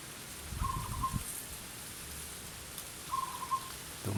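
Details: Wild zebra dove calling persistently from a jackfruit tree, being lured by a caged decoy dove, gives two soft, low, full cooing phrases about two and a half seconds apart, under steady rain and a low rumble.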